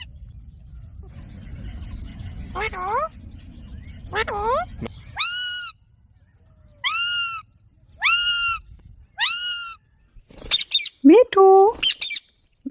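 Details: Green pet ringneck parrot talking: a series of loud, harmonic, arched speech-like syllables with silent gaps, then a few short rising squeaks near the end; low rumbling background at the start.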